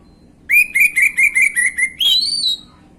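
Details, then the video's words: Orange-headed thrush singing in the gamblingan style, played as a lure to make untrained birds answer: eight short, evenly spaced whistled notes in a quick run, then one louder whistle that slurs upward and ends higher, over a quiet background. "PANCINGAN ANIS MERAH BAHAN/GAMBLINGAN | Gak Pake Lama Langsung Ngrespon Bunyi..."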